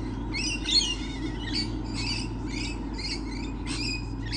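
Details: Lorikeets, numerous, recorded on 28 November 2013. Short, harsh, high screechy notes repeat roughly every half second in an uneven series over a steady low background hum.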